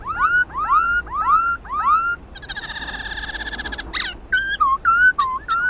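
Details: Black-throated laughingthrush song used to get pet birds singing: four rising whistled slurs in a row, a long rapid buzzy rattle, then short clipped whistles with sharp dips.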